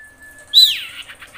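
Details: Female common iora in breeding condition calling to males: a thin steady whistle, then a loud, high downslurred note trailing into buzzy chirps.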